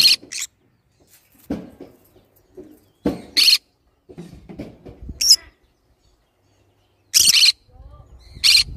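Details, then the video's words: Green-cheeked conure repeating sharp, piercing shrieks every second or two, mixed with softer chattering notes and low voices between the loud calls. "green cheek conure sounds"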